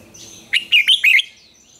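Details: Red-whiskered bulbul in the old wild double-note morning song: one crisp phrase of four quick, liquid notes, the first rising, the rest bouncing up and down, heard clearly against a quiet background.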